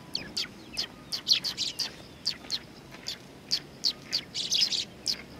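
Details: Eurasian tree sparrows coming to be fed at a Tenmangu shrine on 20 September 2020 utter sharp, high chirps every few tenths of a second, ending in a closer cluster of overlapping cheeps.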